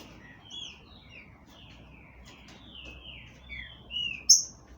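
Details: Green-winged saltator from a breeding aviary in Brazil singing a run of clear, slurred whistles, several sliding downward, ending with a sharp high click against a faint low hum.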